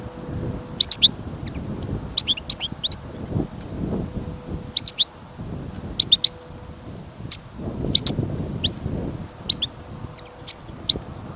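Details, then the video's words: A caged goldfinch taken out on a trapping trip in snow and wind gives scattered sharp twittering chips in small groups, every second or two, against steady wind noise. "Пение щегла - Голоса птиц. Щегол на прослушивании запел."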